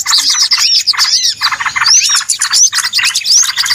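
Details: Busy small-bird chatter used as a trapping lure: overlapping high chirps and sharp, upward-sweeping whistles recurring about every half second, with no pause.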